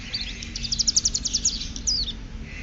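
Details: Ciblek gunung, a hill prinia, practising the ngeriwik style modelled on bren Cililin: a fast run of sharp, high, evenly repeated chipping notes, then a brief descending slurred note, over low background hum.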